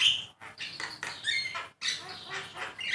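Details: Javan myna singing as a master for pet birds: loud grating squawks and scratchy notes mixed with short whistles, broken by two sudden pauses.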